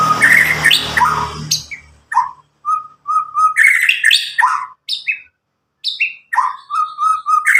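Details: Nine-month-old caged Medan white-rumped shama, loud and clear, its song used to coax young shamas into singing; after a noisy opening come sharp downslurred chips and level whistled trills in short bursts separated by brief silences.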